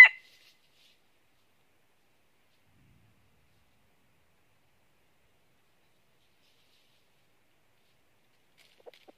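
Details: Near silence throughout, with only a brief click at the start and a couple of faint ticks at the end.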